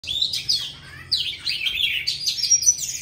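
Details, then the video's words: Old forest Oriental magpie-robin singing loudly, varied whistled phrases sliding between high and higher notes in two bursts, rich and continuous. "Choè than già rừng HÓT TO cả làng nghe"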